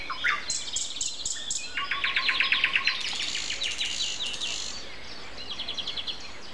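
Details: Sunday morning, April 29 at 7:55, a common nightingale sings; high repeated notes, then long rapid trains of sharp pulsed notes that speed up and grow louder before fading, with other birds faint behind.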